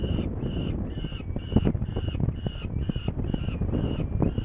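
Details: Hungarian saker falcon, 21 May 2019 at 11:30, heading off to get prey; a run of about nine nasal, high-pitched calls, each roughly half a second apart, over low thumping and wind noise.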